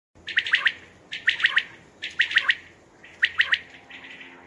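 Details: Common quail calling at night, used for hunting: four bright three-note phrases, each a quick sharp triple chirp, repeated about once a second with short pauses, over a faint low hum.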